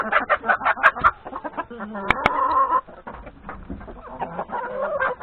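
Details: Chickens, hens with three roosters, feeding in the yard at breakfast before grazing in the forest; loud rapid clucking in a dense chorus, with sharp clicks and a sustained nasal call midway.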